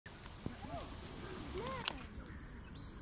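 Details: A barnacle goose with goslings gives a few soft, short, arching calls in quick succession over a steady background rumble and hiss.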